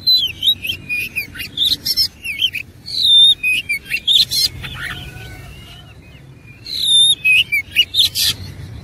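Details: Oriental magpie-robin singing nonstop in a fighting mood with an elaborate filler song. Bursts of whistles and harsh buzzy notes alternate, with a quieter stretch midway before the dense phrases return.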